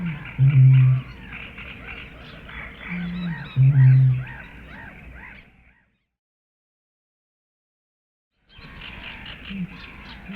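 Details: Eurasian bittern calling: deep, hollow low booms, each preceded by a shorter note, repeated about three seconds apart over a busy higher-pitched background, then silence and a faint resumed note.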